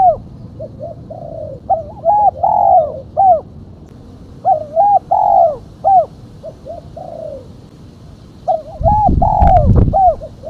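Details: Calling female spotted dove used to lure other doves: repeated phrases of short, rounded coos and longer falling notes, grouped in bursts with pauses; a loud noisy thump interrupts near the end.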